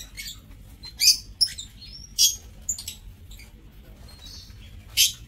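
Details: Lovebirds in an aviary cage give sharp, high chirps and short rising whistles in scattered bursts, about five loud calls over five seconds with quieter twitters between.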